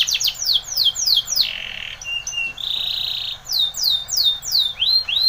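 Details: Spanish Timbrado canary singing a training song: quick descending sweeps, a low steady rolling trill, then renewed sweeping whistled notes.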